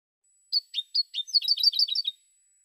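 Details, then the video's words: Goldfinch song phrase: a few separate high chirps, then a fast, even run of bright, bouncing twitter notes lasting about a second; quiet background. "Cante De Jilguero"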